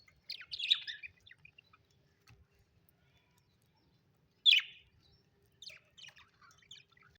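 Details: Happy budgerigars chirping: a scratchy burst of high twittering, a long pause, then a sharp louder chirp and scattered soft chattering notes in a quiet room.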